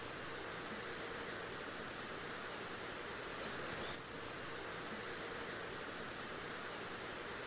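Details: Worm-eating Warbler of the central and eastern United States gives two dry, insect-like trills, each about two seconds long and very high-pitched, with a two-second pause between; faint background hiss.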